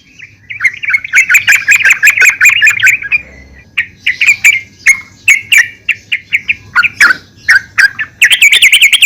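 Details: Female yellow-vented bulbul calling a male, a lure to prompt singing: a dense chattering burst, then a long run of separate bright notes repeated roughly twice a second, ending in a quick high flurry.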